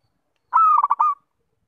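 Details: Zebra dove, a bird used for luring, gives one melodious cooing phrase: a longer opening coo followed by four quick pulsed notes, mid-pitched with faint overtones, in clean silence.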